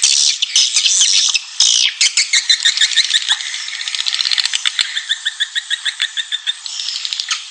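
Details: Swiftlet lure call of the Raja Kalimantan style, an original sound from Borneo used to attract swiftlets: dense high twittering chirps that break into a fast run of sharp repeated clicks, about three per second, in the second half.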